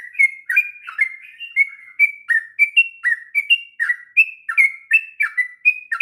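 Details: Sooty-headed bulbul song in the extended ngropel style for teaching young birds: fluid whistled notes, some level, some falling, running on continuously with varied pitch.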